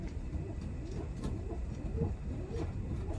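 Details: Feral pigeons nesting behind a rooftop room's wall, in autumn, calling from dawn: low, muffled throaty coos that rise and fall about every half second, over a steady low rumble.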